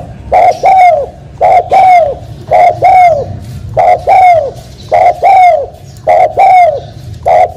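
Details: Spotted dove uttering a steady run of two-part coos, a short note and a longer falling note, around seven pairs at roughly one-second intervals.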